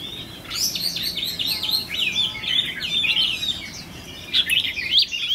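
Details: Red-whiskered bulbul kept as a trainee trapping decoy, known as 'fire eyelids', tested for spirit: a fast, dense chatter of bright chirps and quick slurred whistles, building and repeating, with a soft low background.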